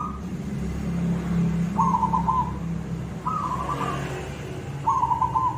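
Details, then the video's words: Actively cooing silver zebra dove with a koong voice. Short, vibrating mid-pitched coos repeat roughly every one and a half seconds against steady low rumbling noise. "perkutut silver gacor suara koong"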